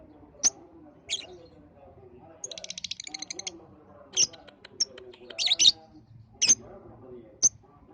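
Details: Lovebird lure sound aimed at balibu lovebirds; shrill isolated chirps about a second apart, a short buzzy run of rapid notes, and a double squeaky chirp, over soft low background murmur.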